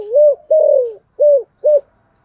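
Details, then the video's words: Spotted dove of 'giọng thổ' style, a keen daily caller used as a lure bird, gives soft, mellow coos: a rounded opening note, a long wavering falling coo, then two short notes. "cu gáy giọng thổ Gáy Gọi mở hàng ngày bổi và mồi rất sung và gáy xuất ngày"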